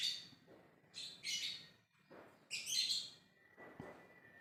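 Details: Lovebird calling to others in ngekek style: two clusters of piercing, scratchy high chatter, each made of several rapid bursts, separated by a short pause, over soft background hum.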